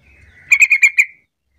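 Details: Sooty-headed bulbul call meant to make idle bulbuls sing in reply: a quick burst of five bubbly, ringing notes in under a second, preceded by a thin sustained tone and faint low rumble.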